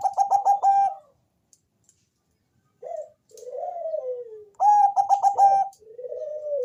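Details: Bangkok-type zebra dove with a thick, bass voice, singing to lure other doves into calling: a burst of quick staccato coos, a pause, then long falling purring notes, and another staccato burst with a drawn-out coo.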